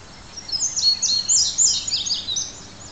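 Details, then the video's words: Male Indigo Bunting singing at Crosby Park, St Paul, Minnesota: a quick run of high, sweet, sliding notes, many in pairs, lasting about two seconds over faint background hiss. "Singing Indigo Buntings"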